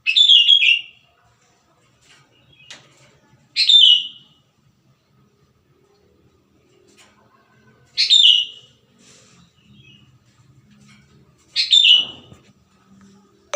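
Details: Sooty-headed bulbul from the wild, singing persistently: four short bubbly whistled phrases at irregular gaps of about four seconds, each a quick descending flourish, with faint clicks and a low background murmur.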